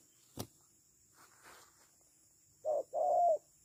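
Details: Decoy spotted dove used in bird trapping, a sharp click and soft rustle early on, then one pair of coos: a short note and a longer, smooth, slightly falling one.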